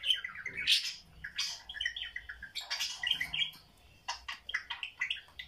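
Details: Budgerigars indoors while watching videos, producing squeaky, scratchy chirps and short warbles in bursts, with a brief lull before more chattering.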